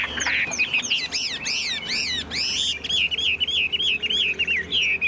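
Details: Tame Chinese hwamei singing in a carrying cage, tail fanned: loud arched broadband notes repeated several times, then a steady chain of bright wavering whistles.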